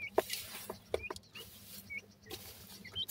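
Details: Grey francolin chicks giving short, thin, upward-flicking peeps, scattered irregularly among sharp clicks and taps, over a steady low hum.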